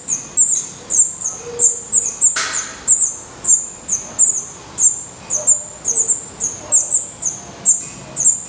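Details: Black redstart nestlings in a nest in Portugal, eyes newly open and growing adult feathers, begging: thin, very high, sharp squeaky notes repeated roughly every half second, with one brief rustling burst early on.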